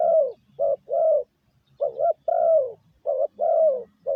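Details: Spotted dove cooing as a lure for decoy birds: low mellow notes in short-then-long couplets, the long notes gently falling, with a brief pause midway and a soft low rumble underneath.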